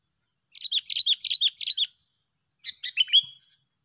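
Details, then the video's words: Pair of sooty-headed bulbuls singing against each other: a rapid run of about eight clipped, chirpy downslurred notes, then after a short pause a second burst of similar bubbly notes. "Adu Gacor yang tak Terselesaikan Antara dua petarung"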